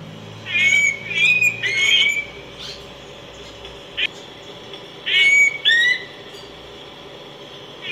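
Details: Critically endangered Araripe manakin singing: a quick series of three bright whistled notes, each with a buzzy overtone. After a short gap comes a brief click, then a pair of slurred whistles, one rising and one falling.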